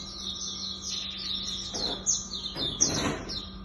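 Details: High, rapid twittering of a Hume's white-eye, known locally as pleci auriventer, delivered in the 'tembakan' style. Quick chirped notes and short trills run on without a break, with a few brief rustling noise bursts.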